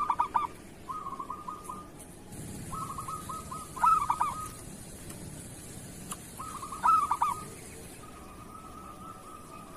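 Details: Local zebra dove in kerot style, a training recording for other doves: clipped stuttered notes followed by a purring rolling trill, repeated roughly every three seconds over background hiss.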